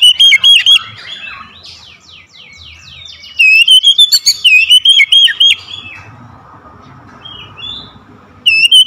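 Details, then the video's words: Kacer lure song meant to stir lazy magpie-robins into singing: loud whistled notes, a run of rapid scratchy descending sweeps, then a burst of bright, wavering whistles before quieter twittering and a final whistled phrase. "KACER PEMIKAT KACER MALAS BUNYI LANGSUNG TERPANGGIL IKUT GACOR"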